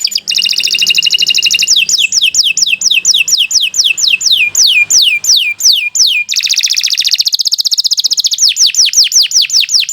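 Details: Canary singing long and continuously, used as masteran and pancingan for young or non-singing canaries: opens with a buzzy high trill, then a steady run of falling whistled notes, ending in another dense buzz and more sweeps.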